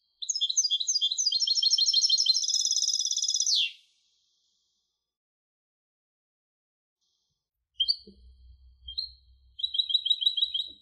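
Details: European goldfinch hybrid singing a rapid high twittering phrase that speeds into a buzzy trill and drops at the end; after a silence, scattered chirps with a low rumbling thump, then another quick trill.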